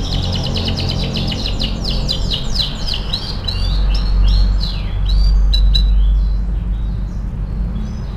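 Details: Canary in full song used to tutor other canaries: dense rapid series of repeated upswept whistles and rolling trills, slowing into sparser chirps near the end, with low background hum.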